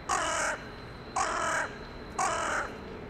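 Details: Crow living in a town centre, calling in the evening to others arriving for the night, January 2021: three loud, harsh, evenly spaced caws, about one per second, each half a second long, over quiet low hum.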